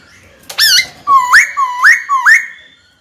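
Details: Caged black-throated laughingthrush singing to provoke a rival to fight: a sharp note followed by three looping upslurred whistles about half a second apart.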